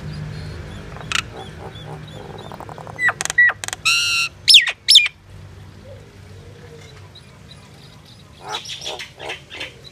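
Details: Mynah singing a varied medley: scattered clicks, harsh buzzy notes, a ringing grating phrase and sharp slurred whistles, later a softer chattering series, over low background rumble.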